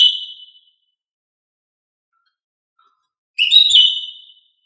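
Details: Female cucak ijo (green leafbird) whistled calls, used to prompt males to sing: a bright whistle at the start, three seconds of silence, then a richer whistled phrase with harsh overtones.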